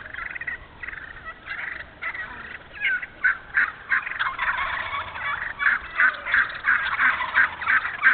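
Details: Wild turkey calling in an open hardwood-savanna stand in Moore County, North Carolina: a long series of raspy, repeated yelps that grow louder and more regular, roughly three per second.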